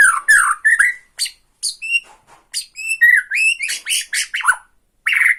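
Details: Borneo white-rumped shama in tretekan song used to stir up rival birds: quick alternation of clear whistled upslurs, short ringing notes and scratchy chips, delivered in brisk, irregular bursts.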